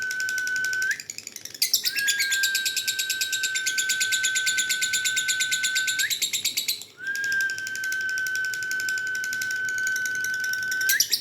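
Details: Dun fallow lovebird kept for contests, pouring out a long scratchy chatter of fast repeated chirps with two short pauses, over a constant high-pitched tone.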